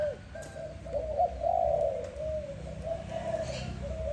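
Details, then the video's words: Dove calling in the morning: a low, steady cooing held around one pitch, swelling and fading in soft connected phrases over a background of low rumbling noise. "Dove lovely sound -morning sound of dove"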